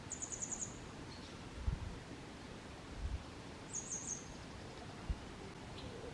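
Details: Grey wagtail singing on 22 May 2023 in Kotoura, Tottori Prefecture, Japan, filmed handheld with a Canon SX740HS: two short bursts of very high, thin, rapid ticking notes about three seconds apart, with soft low thumps of handling noise.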